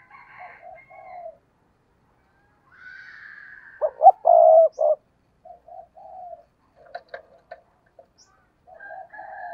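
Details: Spotted dove decoy for attracting wild doves delivers one strong coo phrase, two quick notes then a long held coo, amid scattered softer coos, clicks and a sustained higher background sound.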